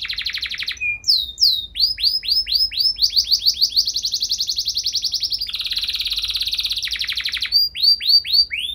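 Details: Canary singing continuously in long phrases with ornate variations, meant to trigger other canaries: a buzzy roll, a chain of curved whistles, a long rapid trill, a harsh buzzing stretch, then more slurred notes.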